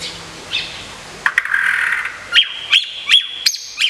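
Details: Caged White-rumped shama, a prize-winning contest bird from Kebumen, Indonesia, singing while in moult care: a buzzy mid-pitched rasp, then sharp high chirps repeated roughly every third of a second.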